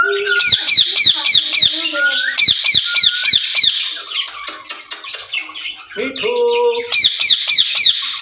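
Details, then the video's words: Caged ringneck parrots conversing: a steady stream of loud, grating squawks at about three to four per second, with a few short tonal, voice-like syllables mixed in. "Speaking Parrots in Cage"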